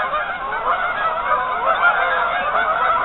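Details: A large flock of geese on a partly frozen lake, continuous overlapping nasal honks forming a steady, unbroken clamour.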